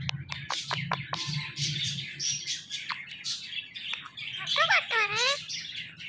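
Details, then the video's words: Indian ringneck parrot, a pet talking bird, chattering with short clicks and sharp chirps, then a run of rapid up-and-down whistled notes near the end, with a low steady hum underneath. "So Much Speaking Parrot Talking"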